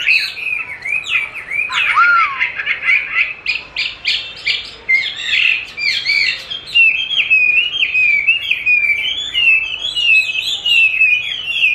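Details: Chinese hwamei trained by hearing its own song played back, which it eagerly duels with; loud, varied whistles including a low swooping note, buzzy bursts, then long rolling warbled phrases.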